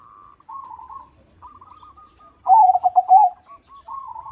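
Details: Crossbred perkutut, a zebra dove noted for its big voice and frequent song, delivers a loud burst of rapid throbbing low coos midway, framed by softer purring phrases from other doves.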